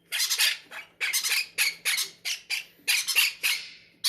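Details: Greedy, hungry parrots in a breeder's aviary squawk almost without pause at feeding time, giving a dense run of rough, scratchy calls roughly every half second.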